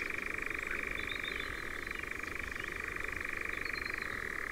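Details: European nightjars in Ringwood Forest near Verwood, Dorset, giving an unbroken mechanical churr, a fast rattling trill sustained at an even pitch throughout, with soft distant twitters above it.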